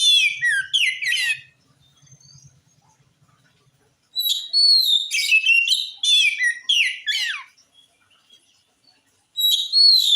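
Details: Oriental magpie-robin in full song, played to make other magpie-robins answer: loud, rich whistled phrases with quick rising and falling slurs and trills, delivered in bursts separated by pauses of a few seconds; faint low buzzing during one pause.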